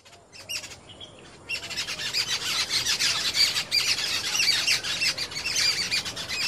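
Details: Several jungle babblers chatter in a blooming confederate rose tree in a garden in Meerut, India. Their harsh, squeaky, overlapping calls come about three notes per second, and the chorus builds after a quiet opening second.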